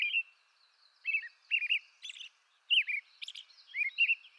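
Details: American robin in eastern North America delivering mellow whistled phrases with pauses between them, some slurring downward, plus a few higher thin notes. A soft hiss of background ambience.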